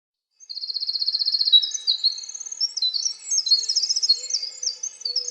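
A winter wren pours out a long, rapid song of high tinkling trills and twittering notes, starting with a fast repeated burst. A faint low hoot sounds near the end.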